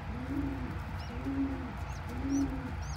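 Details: Kept pigeons at a nest, a tiny squab being fed crop milk by its parent; low rounded coos roughly once a second under short thin high squeaks.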